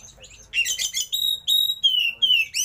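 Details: Kacer, the oriental magpie-robin, singing with luxurious fill and open tail: a buzzy chattering burst, then a row of long, clear whistles that glide gently downward.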